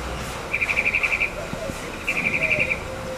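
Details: Tropical mockingbird in Corozal, Belize, calling an alarm in the morning: two short, fast chattering bursts of clipped notes about one and a half seconds apart, over quiet background noise.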